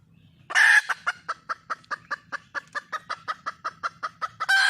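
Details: Wild red junglefowl hen calling to attract a male: a rapid series of short, evenly spaced clucking pulses, about five per second, bracketed by two loud, harsh, broadband squawks at the start and end.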